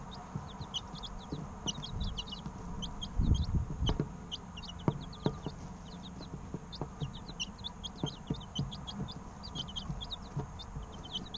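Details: Three-week-old chickens as chicks chirping in a group: long chorus of high, brief, falling peeps, fairly constant, with a louder rustling thump partway through and scattered taps.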